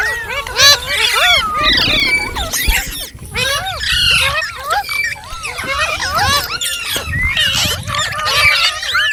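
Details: Ringneck parrot talking and singing in a long, lively stream of arched whistled notes and scratchy squeals, almost unbroken, with a few sharp clicks between phrases.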